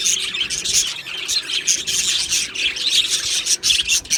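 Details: Australian budgies in an aviary colony, described as happy: a dense chattering chorus with sharp, high chirps and short whistled notes repeated across the clip.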